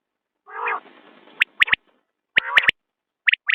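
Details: Common quail calling: a soft, nasal, mewing note, then two sets of three sharp, clipped whistles about one second apart, and a final pair of whistles. The background is otherwise silent.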